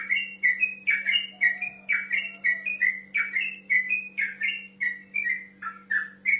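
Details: Male yellow-vented bulbul challenging a rival with quick, liquid whistled phrases, short notes jumping between pitches in a bubbly, repeated pattern about three per second, a faint steady hum beneath.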